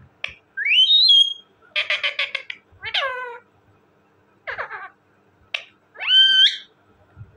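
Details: Talking parrot giving loud harmonic calls that sweep upward then level off, mixed with bursts of rapid buzzy chatter and short clicks, separated by brief silences.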